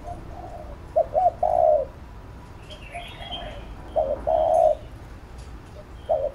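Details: Spotted dove giving urging coos, used to stir and train a newly caught bird. Low, hoarse cooing phrases of two or three notes come in bursts about every three seconds, with faint higher chirps from other birds behind.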